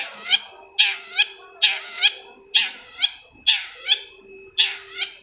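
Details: Long-tailed shrike calling to provoke another shrike to sing: nasal, rasping notes in pairs, almost meow-like, repeated about once a second, with a thin steady background hum.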